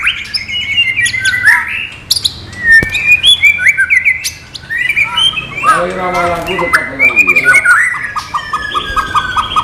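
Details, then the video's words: White-rumped shama, murai batu non-gelembung isian song: varied clear whistles, sharp chips and a rapid downward rattle, ending in evenly repeated short piping notes. "MATERI BURUNG MURAI BATU NON GELEMBUNG"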